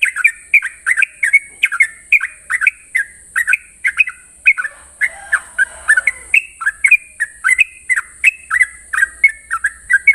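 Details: Sooty-headed bulbul singing in the morning in the long rapid 'ropel' style: about thirty short, bright, slurred whistled notes, some rising and some falling, delivered in a brisk nearly even stream, over a steady high hiss.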